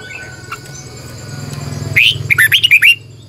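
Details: Morning song of a red-whiskered bulbul used as a lure to call other birds, a long twisting double voice; a quick run of bright, rolling whistled notes, six or seven in under a second, after a quiet humming lead-in.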